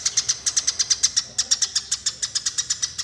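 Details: A Eurasian tree sparrow fighting call used to train songbirds: an unbroken, even stream of piercing chirps, roughly six per second, steady in loudness throughout.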